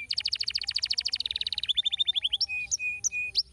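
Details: Canary song used to stimulate other canaries to sing, opening with a fast, ringing trill that shifts pitch twice, followed by spaced, level whistles and sharp upward chirps.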